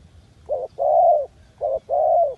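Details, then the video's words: A dove coos low and soft: a brief note, then a longer drawn-out coo, the pair given twice in about two seconds over a faint low rumble. "The sound of dove."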